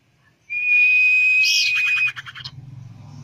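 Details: Common iora singing, a recording used to make birds sing quickly: one long clear high whistle held steady for about one and a half seconds, breaking into a rough rattling trill that fades, with a faint low hum behind.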